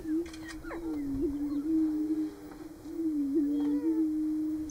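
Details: On a Nebraska booming ground in March, displaying male greater prairie-chickens give a loud, sustained, low cooing drone with small dips and swells, while sliding higher calls and short bursts break in over it.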